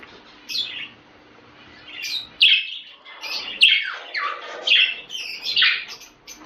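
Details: Budgerigar calls for stimulating breeding: a quiet start, then separate bright, sliding chirps and short squawky notes roughly every second, some falling sharply in pitch.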